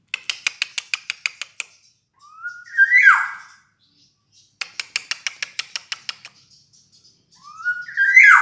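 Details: Black-naped oriole, recorded as a sound to lure other birds. Bursts of rapid clicking pulses are each followed by a loud, fluty whistle that slurs up and then down. The pattern comes twice in a quiet setting.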